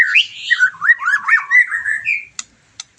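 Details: White-rumped shama, a caged bird after moulting, singing to stir another bird into song: varied whistled phrases gliding and twisting, rich warbling notes, ending with two sharp clicks.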